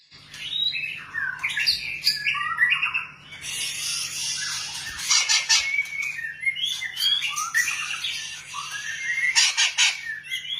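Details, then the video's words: White-rumped shama, the long-tailed form: a dense, varied song of rich whistles, sweeping notes and harsh rattling bursts running continuously, over a steady low hum. "burung murai ekor panjang"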